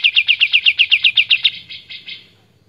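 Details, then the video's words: A White-shouldered Triller sings a loud, clear, fast, even trill of about a dozen bright notes, eight per second, then trails off into a few softer, fading notes. "Kapas Tembak Gacor"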